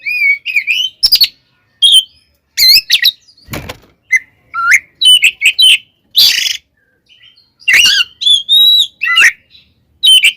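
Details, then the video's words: Oriental magpie-robin singing a 'tarung konslet' fighting song to provoke rivals: a long run of varied whistles, warbles and rasping notes, delivered in quick bursts with frequent short pauses. "SUARA BURUNG kacer gacor TARUNG KONSLET nembak ini AMPUH buat PANCINGAN KACER agar EMOSI SEKETIKA"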